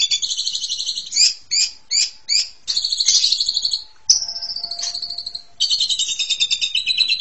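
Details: Asian pied starling song of clipped, repeated chattering notes broken by a long, slightly falling whistle, then a dense buzzy warble.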